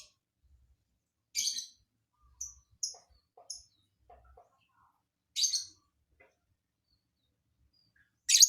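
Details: Lovebird with an unusual, hard-to-predict song fill: three loud, harsh, shrill bursts spaced several seconds apart, with short clipped chirps in between and long quiet gaps.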